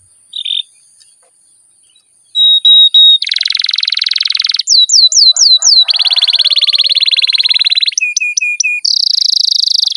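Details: Caged canary in a long rolling song used to stimulate other canaries: short whistle, pause, then a harsh buzzy roll, rapid falling sweeps, another long rattling trill, clipped notes and a final high buzzy phrase.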